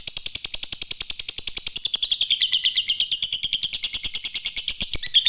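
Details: Long ngekek trill of a lovebird, used to lure other lovebirds: an unbroken, very high rattling chatter that slides slightly lower near the middle, set against a regular rapid clicking beat throughout.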